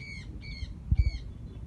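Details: Red Bourke's parrot giving three short, nasal, evenly pitched chirps about half a second apart, then a faint fourth, over low rumbling and a few dull thumps.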